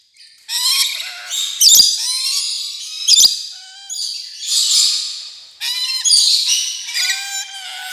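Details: Rainbow lorikeet chatter, a run of shrill, rasping squawks mixed with thin whistled notes that slide downward, in uneven bursts with short pauses.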